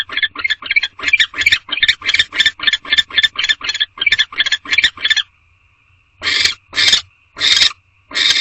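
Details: Male and female barn owl in a nest box at 9:11 pm during mating; a quick series of rasping chitter pulses for five seconds, a pause with a faint thin tone, then four slower, louder hissing screeches.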